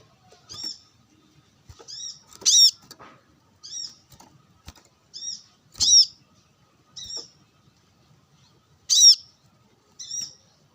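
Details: Brown-throated sunbird, sunbathing and calling rivals with wild birds about: separate high, sharp chip notes spaced a second or more apart, some louder and ringing, with faint flutters in between.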